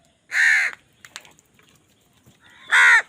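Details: Crow calling loudly while fighting for food: two harsh, hoarse caws about two and a half seconds apart, with faint clicks between them.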